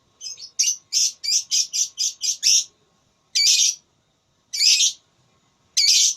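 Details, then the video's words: Lovebird competing in a voice-battle singing contest: a quick run of about nine harsh high chirps, then three louder, longer rasping squawks spaced more than a second apart. "Lovebird Tarung Suara"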